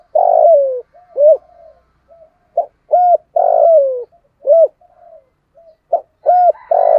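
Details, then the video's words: Spotted dove decoy performing 'thúc gù' and crowing in 'giọng thổ' style to bring wild doves in to fight. Repeated phrases of a long descending coo followed by short arched coos, about three phrases in seven seconds. "cu gáy giọng thổ đủ bài thúc gù + gáy gọi bổi rừng lẹ về cội đấu với"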